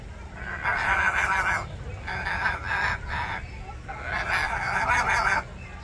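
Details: One of three hyacinth macaws eating and "talking" at Odense Zoo, Denmark, on 13 May 2023, giving three long, harsh, grating squawks, each about a second, with short pauses between, over a low background rumble.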